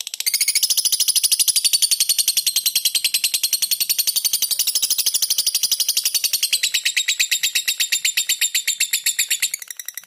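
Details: Lovebird tutor recording of the long ngekek trill with tight pauses: an unbroken, very fast chatter of high, piercing notes lasting about ten seconds, dense and loud throughout, shifting slightly in tone near the end.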